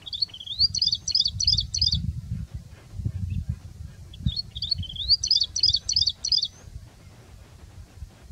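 Rufous-fronted prinia song: two high, rapid phrases of an upslurred note followed by five quick, jerky chirps, about four seconds apart, over low wind rumble.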